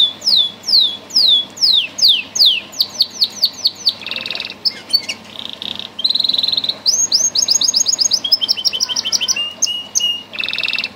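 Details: Song canary bred for sweet singing: repeated falling slurred notes, buzzy bursts, then fast high trills and a scratchy rolling passage across eleven seconds.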